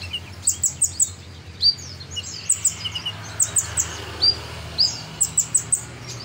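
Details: Energetic kolibri ninja sunbird song for bird training: strings of piercing high chirps that drop quickly in pitch, delivered in quick groups about every half second, with a constant low background hum.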